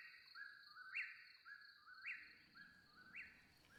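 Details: At Little Lick Campground, Kentucky, during tick season, an Eastern Whip-poor-will repeats its clear, whistled three-part whip-poor-WILL about once a second, each phrase rising to a sharp ending, over a steady insect drone.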